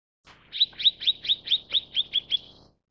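Mrs. Gould's sunbird gives a quick run of about nine sharp, high chips, roughly four or five a second, evenly pitched. The background is quiet.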